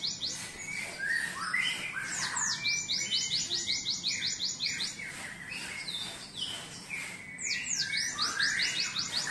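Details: Cinereous tit tutored on canary song, singing energetically: sweeping slurred whistles lead into rapid strings of short high downward chirps, then a pause and a second trill with more whistled notes.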